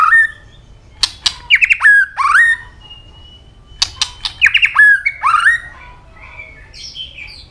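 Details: A white-rumped shama in fighting song with tail clicks: hard snapping clicks followed by loud slurred rising and falling whistles, the pattern repeated, ending in softer high chattering notes.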